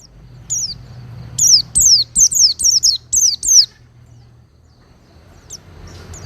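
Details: Oriental white-eye for cage-bird mastering sings a compact series of about eight high, downward-sweeping whistles, followed by near silence and a single faint note.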